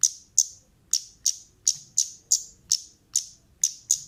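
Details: Female orange-headed thrush used as a lure, uttering evenly spaced sharp high chips, about two to three per second, each a short bright tick with a trailing fade.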